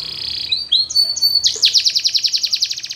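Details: Russian canary training song, flute-style singing: steady held whistled tones stepping between pitches, then a fast rhythmic roll of short bright notes repeated several times a second.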